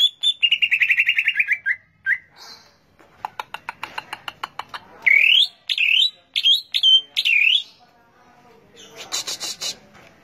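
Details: A greater green leafbird, or cucak ijo, sings: a quick trill sliding downward, a dry rattling series, then loud looping whistles that dip and rise, ending in a harsh high buzz.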